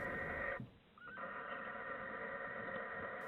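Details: A female barn owl sitting on her first egg in a nest box gives long, harsh, hissing screeches at night, relentlessly calling for her mate, with a brief break between them.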